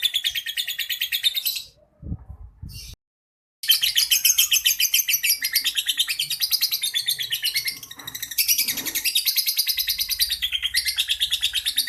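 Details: Champion lovebird singing in the ngekek style: long, rapid, high chattering trills of tightly repeated notes that run on for seconds. A brief break comes early, then the continuous shrill chatter resumes with slight shifts in pitch.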